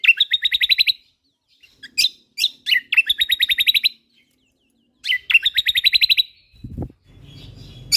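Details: White-eye from Lombok (kecial kombok) used as a songbird training recording, singing energetically: repeated one-second bursts of fast buzzy pulsed notes, about four per second, broken by sharp high chips, with a short low thump near the end.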